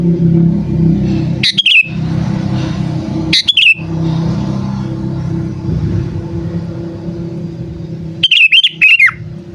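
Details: Luring call of a sooty-headed bulbul: three short liquid whistled phrases spread over several seconds, the last dropping in pitch, with constant traffic or motor hum beneath.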